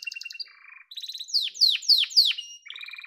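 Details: Yellow canary singing short trills, then four loud downward-swooping whistles roughly every quarter second, closing with a buzzy low trill.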